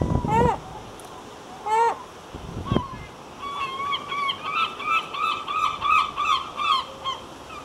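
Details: Herring gulls in their breeding colony: a few harsh, harmonic yelping calls open, then a quick run of repeated yelps, roughly three each second, over a low rumbling background.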